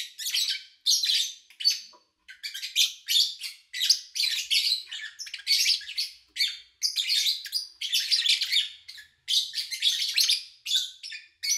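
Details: Lovebirds chirping, recorded in early August 2019 over three days from morning to evening while their owner was away, with little engine noise or human activity; dense, high, scratchy chirps and squawks in rapid overlapping bursts about every half second, continuing throughout.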